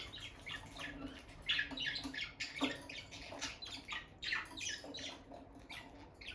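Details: Peach-faced lovebird pair, bonded and staying near the nest box. Rapid strings of scratchy, high squawking chirps in uneven bursts, with light rustling of movement.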